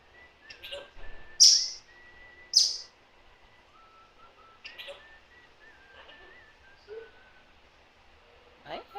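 An African grey parrot makes a run of sharp, high whistles and clicks, with a few drawn-out squeaky tones in between and a faint background hiss.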